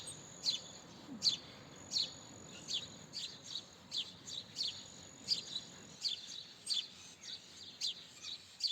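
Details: House sparrow giving a steady series of sharp, high chirps, about fourteen in nine seconds, irregularly spaced, with a faint thin tone running in the background.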